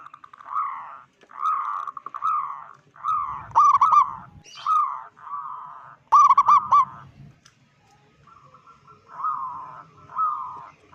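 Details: Big-voiced local zebra dove using a call claimed to make other zebra doves panic: evenly spaced cooing phrases roughly every second, punctuated by quick stuttering bursts, then a pause and softer trilled coos.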